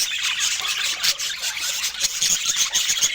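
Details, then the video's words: Pet budgerigars chattering together in a busy stream of high squeals and chirps, with faint repeated ticking clicks beneath the flock noise. "Healthy Food for Budgies with Natural Sounds"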